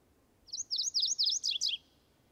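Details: Male MacGillivray's warbler in Washington State, singing while marking his territory after arriving from the tropics: a quick run of six high, sharp, slurred notes, the last ones dropping lower, against a quiet background.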